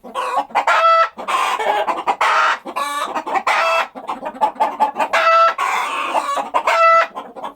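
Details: A flock of chickens with busy, uneven clucking broken by a few longer nasal squawks, the calls crowding closely together over several seconds.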